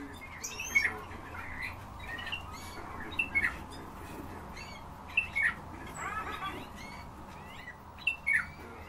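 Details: Several Eurasian bullfinches: short, soft piped notes, often in pairs, come about every two seconds. Many other small birds twitter and chirp higher up throughout.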